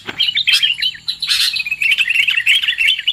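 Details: Lure sound of the sooty-headed bulbul, meant to draw birds in for trapping: a continuous, lively stream of high chirping and twittering notes with a brief, noisy burst partway through.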